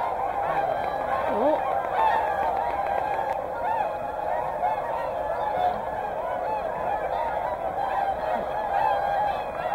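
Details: Large flock of whooper swans, with tundra swans, at Hyoko, Niigata, Japan, keeping up a continuous chorus of mid-pitched trumpeting honks that overlap with no pause. The swans are said to fly off.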